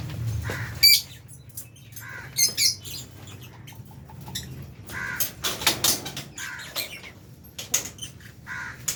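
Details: Albino and Fisher's lovebirds kept with budgies in an aviary, feeding; scattered short shrill chirps and squeaks between quiet gaps, with soft fluttering and knocking sounds and a low background hum.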